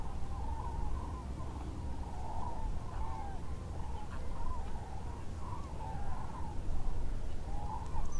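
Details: Many wild common cranes at Lac du Der-Chantecoq, a migration stopover lake in northern France, leaving their night roost before daybreak to feed nearby; overlapping rolling bugled calls throughout, over a strong steady low rumble.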